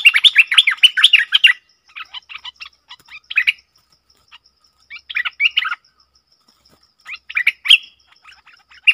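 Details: Bulbul recorded 20 March 2022: a loud burst of rapid, bouncing chirps opens, then softer scattered phrases follow after gaps, over a faint steady tick.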